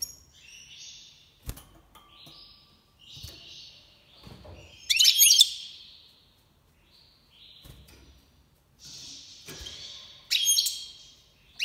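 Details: Iranian goldfinch of the Major type during 2022 breeding season: scattered twittering phrases and buzzy trills with tinkling chirps, interrupted by quiet gaps and faint clicks.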